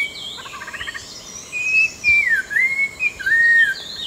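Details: Orange-breasted laughingthrush, endemic to the Langbian Plateau of southern Vietnam, at dense scrub and forest edge: a few clear whistled notes, some sliding downward, after soft buzzy chatter.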